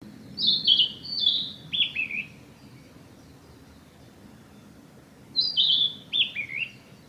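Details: Male narcissus flycatcher singing on a forest road on 15 May 2021. Two phrases of clear, whistled notes step downward in pitch, separated by a pause of about three seconds. A soft, low background hum runs throughout.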